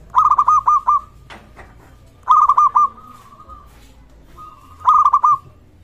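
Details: Zebra dove of local stock in full voice, used to draw other doves into calling and raise their arousal: three phrases of four or five rapid, rounded coos, each phrase ending in a drawn-out hum, about two seconds apart.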